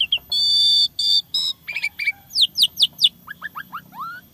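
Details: Fill-in song of an Asian pied starling: sustained buzzy bars give way to quick harsh notes, then a run of steep descending whistles and finally a series of upslurred whistles, all loud and rapid.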